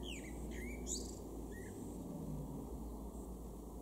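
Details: Common Blackbird, a male, in a Weener garden in East Frisia, northwest Germany, June 2022: one quick song phrase of fluted rising notes that breaks into a squeaky high flourish, then a short soft note, over low constant hum.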